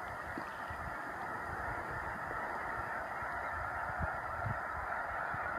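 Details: Snow geese on their March spring migration at Choteau, Montana, in 2015, heard as a distant, even wash of high honking voices blending together, with faint low rumbles underneath.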